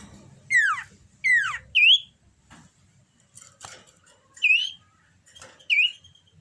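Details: Common iora in breeding condition giving two steeply falling whistled sweeps, then a series of clear rising whistled notes spaced about a second apart, with faint clicks and a low hum underneath.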